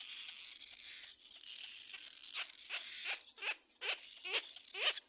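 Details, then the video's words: Little black cormorant chick at the nest crying loudly as another bird approaches: a rapid string of harsh, raspy downslurred cries, about two per second, growing louder toward the end over a hissing background. "BABY BIRD LITTLE BLACK CORMORANT SEES ANOTHER BIRD COMING TO THE NEST AND CRIES LOUDLY"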